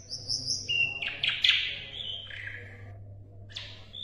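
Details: Asian brown flycatcher song for tutoring competition songbirds: high whistles followed by a loud scratchy twittering burst and falling slurs, then a pause and a final sharp note over a soft hum.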